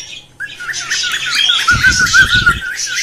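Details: Cockatiel mating calls, played to stimulate birds to breed and to teach singing. A fast, wavering warble repeats several times a second over dense bright chatter from other birds, with a brief low thump.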